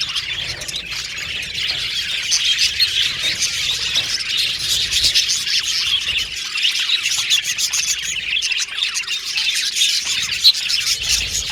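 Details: Budgerigar colony in an aviary, a steady mass of high chirps, warbles and squeaky notes from numerous birds, continuous and even in loudness with a brief sharper squeak late on.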